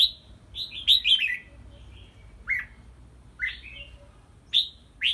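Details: Red-whiskered bulbul kept in a small hanging bamboo training cage, singing clear warbled notes that slur downward, some rising upslurs, in short clusters with gaps of about a second; faint low background hum.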